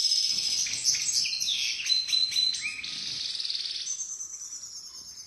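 European goldfinch singing a fast, tinkling run of liquid twitters, buzzy notes and short trills, high-pitched and nearly continuous, with faint room noise behind.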